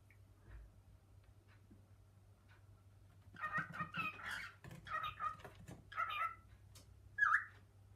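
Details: Male cockatiel in a home kitchen calling to a female to come to him; after a quiet start, a run of raspy, chattering syllables builds for several seconds, ending in one sharp, loud call, amid faint household clatter.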